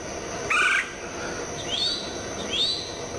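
Red-headed woodpecker giving one harsh, raspy mid-pitched call, then two thin rising notes about a second apart, over a steady high insect hiss.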